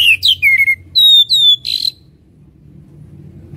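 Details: Oriental magpie-robin singing a lure song to stir fighting spirit: a few loud, swooping whistles and a harsh buzzy note, then the bird falls silent with faint low background hum.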